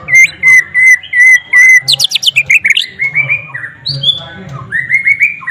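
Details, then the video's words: White-rumped shama song carrying flycatcher (sikatan londo) mimicry: steady, repeated whistled notes at an even pitch, a fast burst of sharp chips, then rising slurred whistles and warbled phrases. "MURAI BATU ISIAN SIKATAN LONDO"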